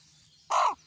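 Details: Common raven in a forest, cawing while catching butterflies: a single short, hoarse, harsh caw lasting about a quarter second, with a faint low hum in the background.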